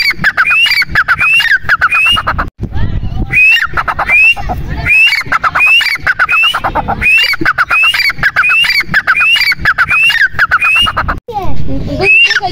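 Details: Grey francolin calling loudly and insistently. Harsh, rising, ringing phrases repeat rapidly over and over, with brief pauses. A rough, noisy background runs underneath throughout.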